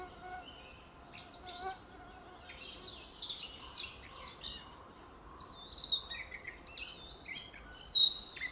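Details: Eurasian blackcap singing in a forest: separate bursts of high, fluty whistles and quick warbled notes, with quiet gaps between phrases and a final brighter flourish near the end.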